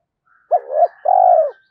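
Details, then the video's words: One complete phrase from an excited decoy spotted dove, giọng thổ style: a short clipped note, a wavering rise, a short pause and a long smooth croo, with a faint higher whistle behind it. "Chim Cu Mồi, cu gay kich boi nhanh noi gù"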